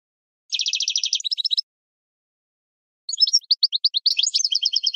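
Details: Training song of a captive European goldfinch: a rapid, evenly pulsed rattling trill into twitters, then after a pause spaced rising chips building into mixed tinkling notes.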